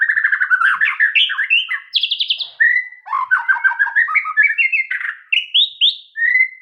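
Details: White-rumped shama singing a rich, varied song of fast whistled and warbled phrases, pitch jumping between low and high notes, with short trills and repeated syllable runs, clear and loud with no other sounds.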